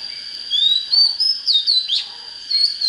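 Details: Oriental magpie-robin song for firing up fighting birds: long drawn-out rising whistles followed by a few quick slurred notes, with a constant thin high tone running underneath.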